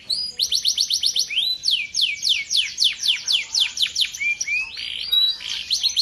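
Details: Male canary, a competition champion, singing a loud continuous song: rapid series of high, sweeping down-slurred whistles repeated about four per second, then trilled and warbling notes, with no other sounds.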